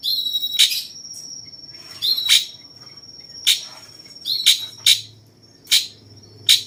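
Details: Cucak cungkok bulbul of the 'rasa jenggot' type, used to train contest birds: ringing whistled chips that snap off sharply, singles and doublets spread through the clip, with a steady high-pitched hum behind.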